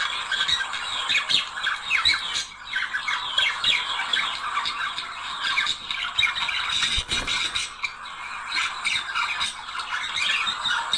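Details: Budgerigar couple singing to stimulate mating: continuous rasping warble with squeaky rising notes and clicks, a brief lull near the middle, then the chatter resumes.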